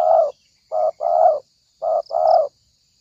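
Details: Trapping lure of a spotted dove: loud low cooing in short-long pairs, three phrases in quick succession, harsh and slightly rasping, over a steady thin hiss with faint bird chirps.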